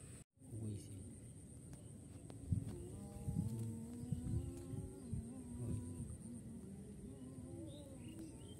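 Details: Watercock, a hunting decoy bird, giving a new call: deep, hollow, resonant tones in a low, uneven series, with faint rural background noise.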